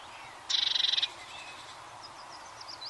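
A Eurasian blue tit gives a quick, high, even trill of about a dozen notes over half a second. Faint thin chirps follow against a soft background hiss.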